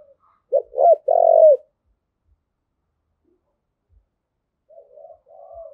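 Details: Spotted dove coo for stirring males and training decoy birds: two quick sharp notes leading into one long hoarse coo, a long silence, then faint soft wavering coos at the close.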